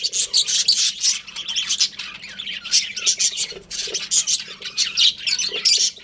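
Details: Breeding pair of pet budgerigars, kept as a family group: dense, continuous high chirping and squawky chatter, overlapping bursts with little pause throughout.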